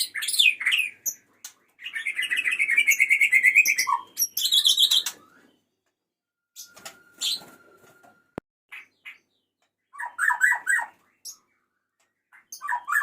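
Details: Male white-rumped shama calling the female, with a long run of rapid repeated notes, high chattering phrases, a thin level whistle, a single sharp click, then scattered chirp clusters.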